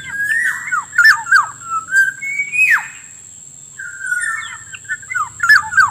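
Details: Black-naped oriole lure sound used to attract wild birds: loud fluty whistles near mid pitch, some sliding upward then dropping steeply, in quick bursts with a short pause midway, over a steady faint high electronic tone.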